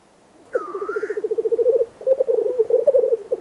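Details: Black grouse males displaying at a lek before dawn in darkness, having arrived at 2 a.m., recorded from a hunting hide: a bubbling, rapidly pulsed low rolling coo in long phrases, with a higher rising-falling hiss-like note near the start.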